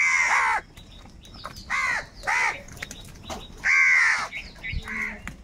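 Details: Crows calling angrily and fighting for food: harsh, hoarse caws in bursts, a long one opening, then two short ones and another long caw with quick trailing calls, some overlapping as several birds call.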